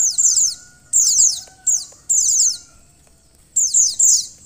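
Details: Bursts of shrill, steeply falling notes from a female white-eye, used to excite the male, separated by a longer pause midway, with faint humming underneath.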